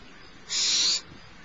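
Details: Barn owl chick, smallest in the nest, fed by the adult female at Starr Ranch around 10:30am on 6 March 2011; one steady, breathy hissing screech lasting about half a second against quiet background.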